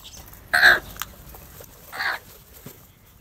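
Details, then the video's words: A large number of crows eating cheese nimko and fighting over the food. Two harsh, nasal caws about 1.4 seconds apart, the first louder, with faint clicks and a steady background hum. "crow sounds"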